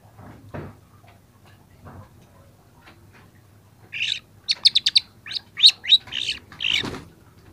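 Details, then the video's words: Young long-tailed shrike singing for a training recording: a few soft low knocks, then a burst of quick harsh chips and squeaky notes in the last few seconds. "masteran cendet muda"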